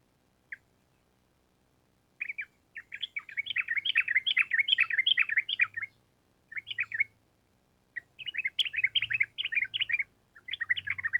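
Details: Gacor trucukan song from a sooty-headed bulbul, a long rapid run of notes (ropel panjang): one short note, then dense chattering whistled bursts for several seconds, a pause, and another long chattering run, with a faint low hum beneath.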